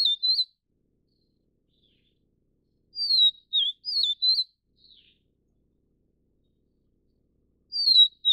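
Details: High whistled notes of a Taiwanese vivid niltava, Niltava vivida vivida, come in sparse bursts: a brief ending, a full four-note slurred phrase near the middle with a soft afterthought, and a new phrase beginning at the end.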